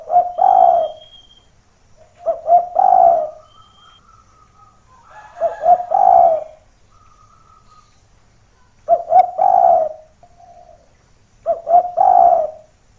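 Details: Lure recording of a spotted dove whose calls make hearing doves descend to seek the rival: five coo phrases every two to three seconds, each a stuttered lead-in then a fuller coo, with thin faint whistles between.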